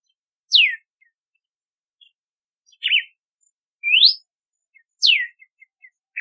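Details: Red-cowled cardinal, also called galo de campina or cardeal do nordeste, singing clear whistled phrases: a steeply falling note, a quick wavering note, then a rising slur, spaced about a second apart on a silent background.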